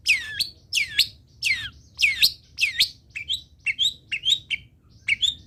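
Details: Long-tailed shrike song used as a tutor recording for training other birds: sharp downslurred whistles sweeping from high to mid pitch, repeated about once a second, then shorter clipped chirps in quicker pairs.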